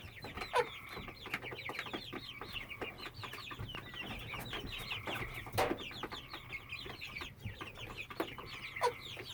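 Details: Young hen, 10-12 weeks old, making a constant sound daily since 22 May 2017, otherwise behaving normally; steady bursts of sharp chirps and held tonal notes recur throughout, over a low background hum.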